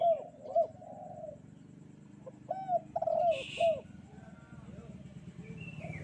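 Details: Spotted dove cooing on a bright morning: short bursts of hooked coos over a steady low rumble of background noise, with a brief hissing sound and a distant chirp.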